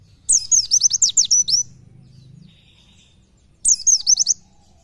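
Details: Tutor song of an Oriental white-eye, 'nembak nyepeed' style; a fast volley of thin, high, down-slurred whistles lasting over a second, a long pause, then a shorter volley.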